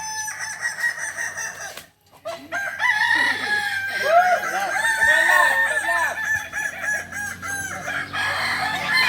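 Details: Kokok Balenggek chicken crow during a group practice gathering in Solok. After a brief pause comes a sustained run of quick, looping, bouncing syllables, about four per second, rich in overtones. Other crowing overlaps faintly behind.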